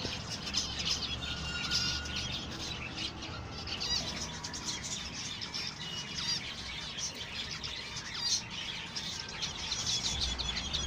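A colony of zebra finches keeps up a dense, busy chatter of short, nasal, high-pitched beeps.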